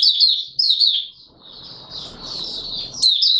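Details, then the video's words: Open singing by an Oriental white-eye, 24 March 2022: a long, high, warbling stream of sliding notes with a soft hissing background in the middle and loud twitters at both ends. "Mata Puteh Raja Video 1 buka sing"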